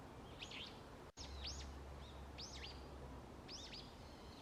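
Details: Wild bird calling in autumn woodland at early morning: loud arching, looping chirps that sweep up and down, given singly or in pairs roughly every second, with a steady low hum and one brief click.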